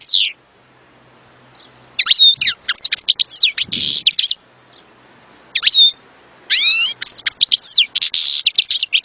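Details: Goldfinch song, European species: lively high twittering phrases mixing sweet slurred whistles, sharp chirps and a harsh buzzy rattle, in two extended bursts with a quiet gap between.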